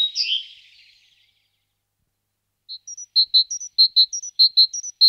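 A great tit sings a quick, ringing two-note phrase, a high note then a lower one, repeated about a dozen times, after a brief harsh call.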